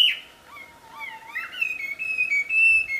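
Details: Wild wambi giving a loud, melodious song of sliding whistles that settles into steady, sustained pure tones.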